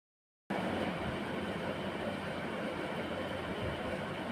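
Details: After a brief silence, the steady rumble and roar of a passing train carries on to the end, with no animal heard.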